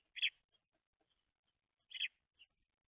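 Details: Baby house sparrows, messy eaters that kick seed out: two short, bright chirps about 1.7 seconds apart, each a quick dense burst, with a faint extra peep after the second, otherwise quiet.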